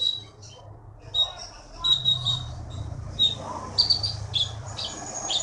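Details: Olive-backed sunbird, a caged contest champion caught in the Bangka forest, Indonesia, sings thin high whistled notes and short chirps in scattered bursts, with a low murmur of people talking beneath.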